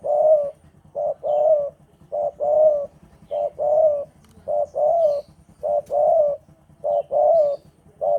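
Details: Spotted dove, a male in breeding condition, cooing steadily: soft, hoarse phrases of a short note followed by a longer, burry coo, repeated about once a second over a faint low hum.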